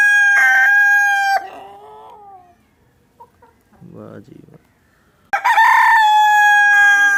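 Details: Chicken with two loud crows, one at the start ending in descending broken notes and another after a quiet gap with brief soft clucks and a low rough sound, each held as a harsh steady tone.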